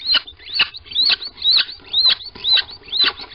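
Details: Squeaking of a little owl at a Sprundel nest box on a February 2020 morning as the pair goes in. High, thin, downward-curving squeaks are repeated about twice a second, fairly regular.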